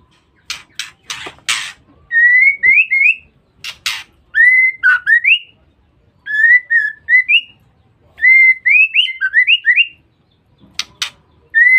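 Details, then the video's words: Female white-rumped shama sounds used as a lure for males. Scratchy rasping bursts alternate with groups of three to five clear whistled notes, each sliding upward. The pattern repeats over several cycles. "Pancingan Suara Murai Batu Betina"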